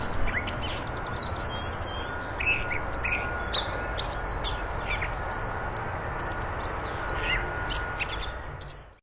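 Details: Catbird song meant to tutor contest magpie-robins: a lively run of high clipped whistles, trills and sharp chips in quick succession, with background rumble, ending abruptly.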